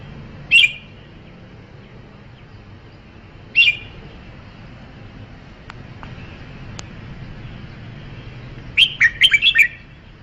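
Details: Red-whiskered bulbul calling with single sharp whistled notes about three seconds apart, then a rapid cascade of warbled phrases; faint clicks and steady low hiss in the background.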